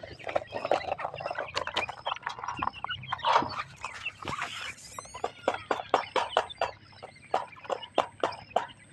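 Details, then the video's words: Partridge breeding pair with chicks, the female feeding them; a busy run of short, sharp calls comes in quick irregular bursts, several per second, over a dense chattering background. "Dakhane breeding pair ki check s feeding female titar check s ki awaz"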